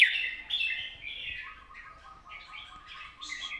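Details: Red-whiskered bulbul in long, soft-voiced song: quiet, rambling warbled phrases over low background rumble, with a thin, steady, lower tone running through the second half.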